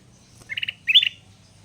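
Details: Captive sooty-headed bulbul, caught wild and gradually tamed, now singing loudly nearly every minute: three quick clear whistled notes, a short gap, then a richer slurred two-part phrase, over a quiet low background hum.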